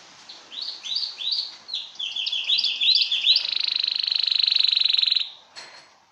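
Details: Canary song for mating: quick series of rising chirped notes that speed up into a long, even, rapid trill lasting about two seconds, then a single sharp high note at the end.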